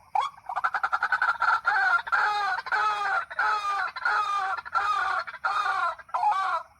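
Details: White-breasted waterhens at night, responding to a played recording: a dense, harsh chorus of overlapping repeated croaking notes, about one and a half per second, rough and harmonic-rich, continuing without pause.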